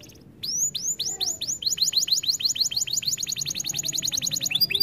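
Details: Canary song from a training recording: a fast train of high downward-sweeping whistled notes, starting slow then speeding into a rapid repeated trill of about twenty identical swoops.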